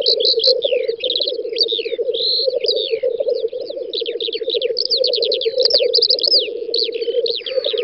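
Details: Group of black grouse displaying at a spring lek in western Russia, 9-10 May 2019: rhythmic low bubbling coos run nonstop beneath a busy mix of fast chirping and whistling from other birds.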